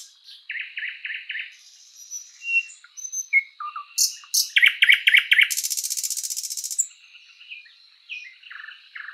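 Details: A thrush nightingale (Luscinia luscinia) singing in a spring forest gives rich, varied phrases: quick runs of repeated notes, clear whistles and a loud dry rattle, over a thin steady high tone in the background.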